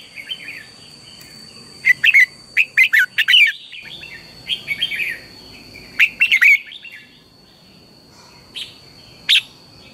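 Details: Morning training song of a red-whiskered bulbul, played as lure sound to get other bulbuls singing hard: clusters of quick warbling notes around the second and sixth seconds, then quieter, with two lone sharp notes near the end over a faint hum.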